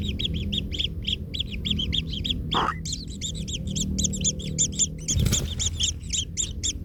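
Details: Baby kingfishers hurt beneath a trampling parent call in quick grating chirps, tightly packed and overlapping, broken by two short rustling thumps; a low background rumble runs throughout.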